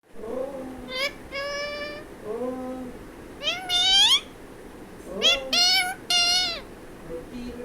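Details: Talking parrot calling mummy for roti: a run of voiced, word-like utterances, some held and flat, others rising and sweeping in pitch, in short bursts separated by brief pauses.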